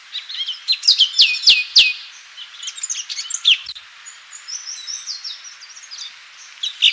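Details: Orange-bellied Leafbird (cucak cungkok) in full 'tembakan' song: a jumbled, fast flow of high chirps, sharp downslurred whistles and thin warbles, with a few clicks and quieter stretches between bursts.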